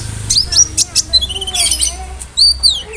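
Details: Konin in lively song stuffed with cricket, brem, kamade and rambatan imitations; short thin high whistles and sweeping slurred notes in quick succession.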